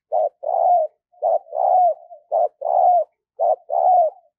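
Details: Spotted dove used as a decoy for wild doves, repeating a quick two-part coo four times in a steady rhythm: a short clipped note followed by a fuller, warm coo that bends downward. Nothing else audible.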